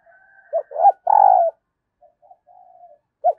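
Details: Decoy spotted dove cooing in the early morning to draw wild doves: a short note, a rising coo and a long buzzy falling coo, then soft quiet notes and a fresh phrase beginning.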